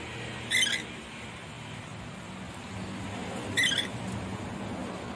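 Red lory giving two short, harsh, screechy shrieks about three seconds apart, over a steady low background hum.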